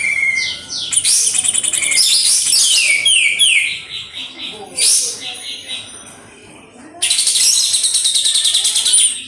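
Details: {'text': 'Kapas tembak song: fast sequences of descending whistled slurs and sharp chips, a brief quieter gap, then a long loud burst of rapidly repeated high notes.'}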